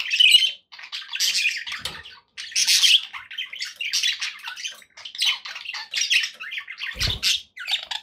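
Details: Happy pet budgerigars in bird company, rapid raspy chatter and harsh squawks in irregular bursts, with a brief low thump near the end.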